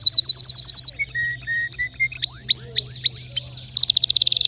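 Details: Canary in full song with distinctive notes, moving from fast high chips to a row of lower short whistles, loud rising swept notes, and a closing rapid pulsed trill.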